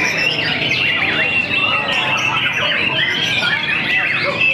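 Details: Mamba JR, a competition White-rumped shama that has moulted only once, pours out a loud, continuous song of rich whistles, rapid rising and falling sweeps and sharp chatters, with other birdsong and faint voices behind.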